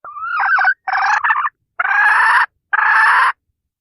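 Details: Hen giving a decoy call used to lure roosters: a rising whistled note followed by four harsh, nasal calls in separate bursts, each under a second long, with clear gaps between them.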